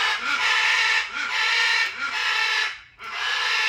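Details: Macaw calling with long, harsh, rasping squawks, three or four drawn-out blasts running almost together with only brief dips between them.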